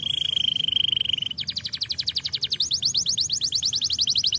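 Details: Canary song opening with a steady high rattle, then switching to fast repeated pulsed notes that rise slightly in pitch, continuous and loud.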